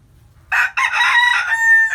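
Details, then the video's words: Chicken crowing in the morning in the Vietnamese countryside, a brief opening syllable followed by a long, steady, buzzy note that stays level before cutting off, against a quiet rural background. "Tiếng Gà Gáy Buổi Sáng Ở Vùng Quê | The sound of chicken crowing in the morning in my hometown"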